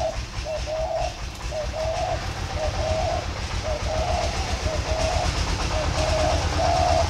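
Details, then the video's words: Spotted dove in plain, warm-toned three-note cooing: low hollow notes repeated in short groups about once a second, loud and steady, over constant low-pitched background rumble. "thổ pha cực ấm chỉ gáy trơn (cúc cù cu 3 tiếng)"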